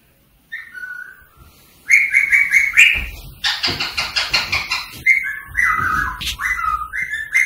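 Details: Rose-ringed parakeet, played to stimulate other parakeets to sing and mate: short level whistled notes, then a loud burst of harsh rasping chatter, followed by repeated clear whistles stepping up and down in pitch.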